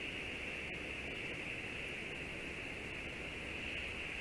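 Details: Steady hissing static with a constant high band of noise throughout, no animal calls.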